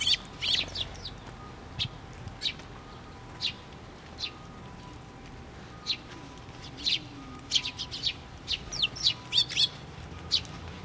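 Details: Sparrows flocking to a post-mounted feeder at a Tenmangu shrine on 24 June 2023, giving bright high chirps and tweets in loose bursts, thickening into quick runs of several notes toward the end.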